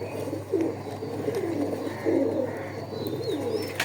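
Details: Two small pigeons giving soft, low cooing phrases that swell and fade about once a second, over a steady low hum with a faint higher tone.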